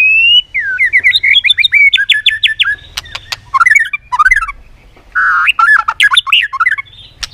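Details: White-rumped shama stirred into competitive singing with clicks and tail flicking: loud, varied song of rich fluting whistles, rapid zigzag note runs and sharp clicks, with a brief pause midway before another fast whistled burst.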